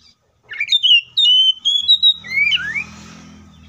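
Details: Oriental magpie-robin singing a forceful fighting song meant to provoke other magpie-robins into song: a connected run of varied whistled phrases, level and gliding, ending in a swooping note, followed by a low steady background hum.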